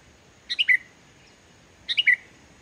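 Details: Sooty-headed bulbul singing steadily, with no borrowed phrases, played as a lure to get reluctant bulbuls singing: two short bright phrases of three descending notes, over a second apart.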